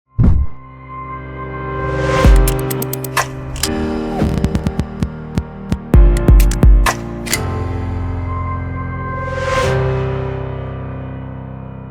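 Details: Deep, throbbing ambient music with sharp percussive hits and swelling noise bursts; no animal calls can be picked out.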